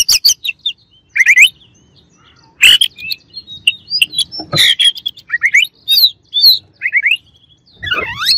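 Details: Oriental magpie-robin rival song intended to provoke: sharp chatters, clusters of rising slurred whistles, and a few loud rasping calls, ending in a sweeping downward whistle.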